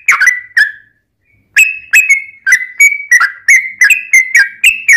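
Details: Lure song from a sooty-headed bulbul to make other bulbuls reply: two quick whistled notes, a second of silence, then a brisk string of bright whistles alternating slightly higher and lower.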